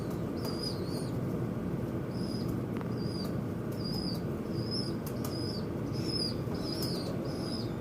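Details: Noisy birds fighting at a window give about ten brief, high, downslurred whistles in quick succession. Sharp knocks and taps mix in beneath a constant low background hum.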